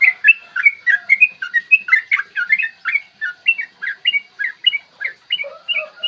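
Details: Yellow-vented bulbul pouring out a dense, long ropel song meant to trigger singing and aggression in other bulbuls: tumbling bright whistles, very fast, with lower sliding notes near the end.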